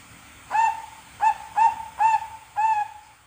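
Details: Caged two-month-old Bangkok zebra dove chick learning its song utters five clear, mellow coos, each briefly rising then level, spaced a little under a second apart.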